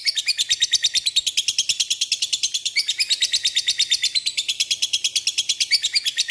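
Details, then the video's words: Lovebird lure call used to call out and provoke rival birds, a continuous fast chatter of harsh, raspy high notes repeated about three times a second with a steady, insistent rhythm. "Pancingan lovebird mudah di respon lawan memanggil lawan ngeekek"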